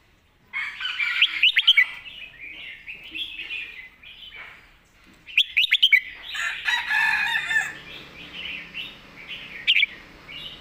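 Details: Cage-kept red-whiskered bulbul giving master-song phrases: clusters of quick, bright whistles opening each phrase, then bubbling warbled notes, repeated several times among other birds' chatter.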